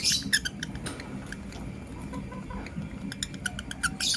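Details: Lovebirds, a blue opaline and a green personata, chirping in the morning: rapid sharp high chirps in quick bursts, loudest at the start and end, over a steady low hum.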